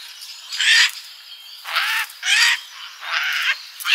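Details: A bird at a garden feeder in summer gives loud, hoarse squawks in uneven bursts, roughly every second, with faint twitter between them.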